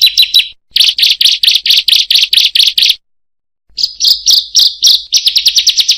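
Bar-winged Prinia giving quick runs of sharp, high chipping notes, about six per second, in two bursts separated by a short pause.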